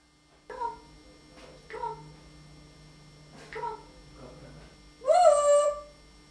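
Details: Talking parrot indoors producing short speech-like harmonic syllables in four spaced bursts, ending with a louder, harsh rising squawk; steady low room hum underneath.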